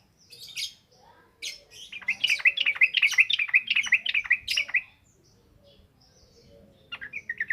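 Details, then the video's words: Yellow-vented bulbul ngropel ngalas song used as a training lure for raw birds. A rapid, even trill of bright bubbling notes, about eleven in three seconds, set between scattered high chirps and a short quiet gap. "SUARA BURUNG TRUCUKAN NGROPEL NGALAS"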